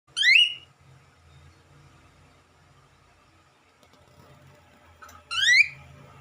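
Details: A male cockatiel gives two loud, rising, shrill whistled calls, about five seconds apart, wanting out of his cage.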